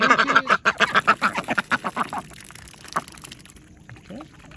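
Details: Two domestic ducks quacking very excitedly: a fast run of loud, nasal quacks, about three to four per second, tailing off after two seconds into quieter scattered notes.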